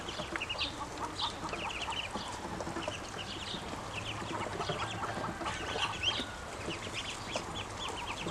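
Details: Hungry, grown ducklings keep up a chorus of high, short peeps in quick runs from several birds, nearly unbroken for eight seconds, over faint low background noise.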